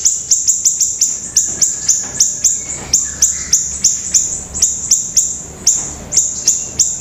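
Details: Energetic pleret song: very high, piercing chip notes repeated quickly and steadily, about three each second, opening with a fast flurry. A few softer lower whistles are mixed in.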